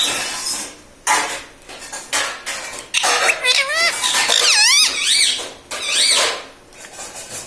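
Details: Pet parrot indoors, talking and saying "mummy papa": squeaky, high-pitched speech-like syllables with wavy rising and falling whistled tones, bunched mid-clip, with clicks and clatter like dishes in a small room.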